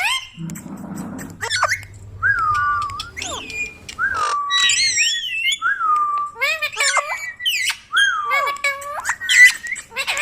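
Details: Pet ringneck parrot producing a series of pure whistled notes that dip and rise, broken up by brief squeaky word fragments, with a faint low murmur at the start.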